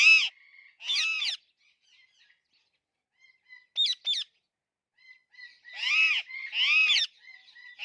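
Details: Alexandrine parakeet repeating loud harsh squawks, each arching up and down, mixed with quick chattering notes and pauses, the calls clustering near the end.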